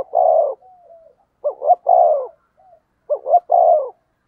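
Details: Spotted dove used as a decoy against rival birds. It gives a long burred coo, then two phrases of two quick rising notes each ending in a drawn, rough, low coo, with brief soft notes between them.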